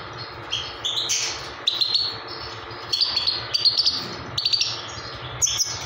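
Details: Trained baby Himalayan goldfinch singing in broken phrases: bright, high twitters and quick chirps in clustered bursts separated by short pauses, with a soft low hum beneath.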